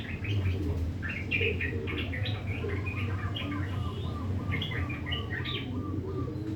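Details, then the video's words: Yellow-vented bulbul delivering coarse 'ngriwik' chatter at dawn: bright, quick, uneven chirped notes strung together continuously, a few higher squeaky accents, over persistent low machine-like hum. "Gacor Trucukan bunyi kasar di pagi hari"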